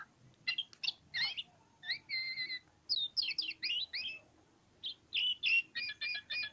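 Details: Oriental magpie-robin, pociku variety, singing ngobra-style: rapid trilled bursts, a pair of steady whistled tones, then twisting slurred notes and a run of quick repeated chirps.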